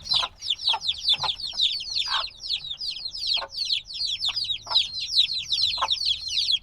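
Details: Binaural recording of tiny black chickens just days out of the egg, chirping constantly: shrill descending cheeps packed tightly together from numerous chicks, punctuated by brief lower rustles.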